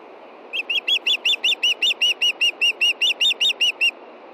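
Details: Female osprey in Montana calling for fish before dark at 9:53 p.m. on 22 June 2013 while her mate fishes nearby: about seventeen high, sharp whistled chirps, evenly repeated roughly two and a half per second.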